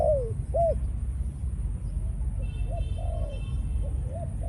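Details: Decoy spotted dove of a Malaysian line, in breeding mode after ground-feeding conditioning, giving arched, mellow coos in short bursts, some soft and clipped, over steady low rumbling background noise.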